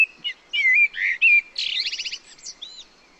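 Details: A Common Blackbird sings in forest habitat, Spain, pitched fairly low at about 2000 Hz and up: slow, mellow whistled notes, then a quick burst of about eight squeaky, high twittering notes with a few softer notes after.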